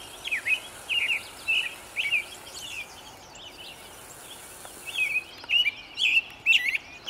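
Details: American robin singing in early-morning sun, 11 May 2013: short, liquid caroling phrases, about two a second in bursts, with a brief pause mid-song. Faint background hiss.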